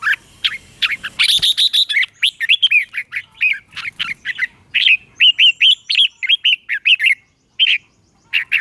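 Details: Red-whiskered bulbul song, used for training caged birds or for trapping: a fast run of short, clear whistled and slurred notes, chirpy and bright, delivered in dense bursts with brief pauses; a short harsh flurry near the start.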